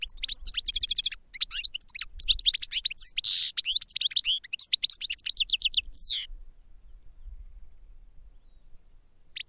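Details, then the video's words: Caged European goldfinch in song training sings a six-second phrase of fast high twittering, buzzy rattles and tinkling notes, then goes quiet over soft low hum before a final note. "Goldfinches Singing in CAGES for TRAINING"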